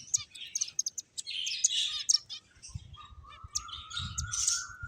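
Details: Finches chirping in busy clusters of sharp high notes; partway through a steady thin whistle-like tone runs beneath them, slowly rising toward the end, with faint low knocks.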